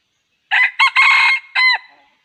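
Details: Red junglefowl crow heard while trapping wild junglefowl: four rapid, raspy segments, two short opening notes, a longer sustained middle phrase and a clipped final note, over a quiet background.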